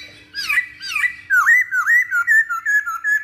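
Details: Masked laughingthrush song used to lure or train birds: two harsh squawking notes, then a quick series of loud, wavering whistled notes that dip and rise, repeated several times a second.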